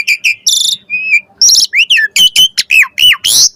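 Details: Asian pied starling singing varied lure phrases to prompt a reply: buzzy harsh notes, a level whistle, then quick arched whistles repeated in a choppy sequence.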